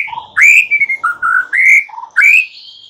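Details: White-rumped shama singing in the morning, a recording used to stimulate silent birds into singing: loud clear whistled phrases, sliding up and down, separated by short gaps.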